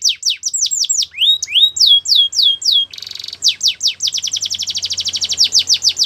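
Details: Canary singing for training: rapid series of high, down-slurred whistled notes, a few rising sweeps, a short buzzy trill near the middle, then a fast even rattle of repeated notes at the end.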